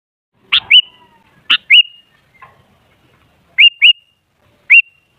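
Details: Sooty-headed bulbul used as a lure sound to make other bulbuls sing: short clear whistled notes with a quick upward flick, given singly and in pairs with gaps, plus faint clicks.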